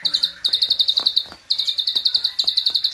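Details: Klik-klik bird, a training recording in a lively burst style: high, clicky chirps tumbling in quick runs of about a dozen notes, separated by short pauses, over faint ticking clicks.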